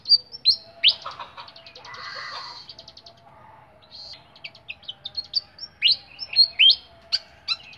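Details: Caged flycatcher (sikatan) singing clearly: high, varied chirps and sharp up-and-down whistles, a buzzy rattling trill near the middle, then quick scattered notes and sweeping whistles toward the end.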